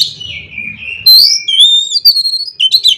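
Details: Oriental magpie-robin song with 'konslet' filling, used to spur other magpie-robins into singing: a long whistle sliding down, then a sharp loud note and clear whistled phrases between high and mid pitch, ending in quick chattering notes.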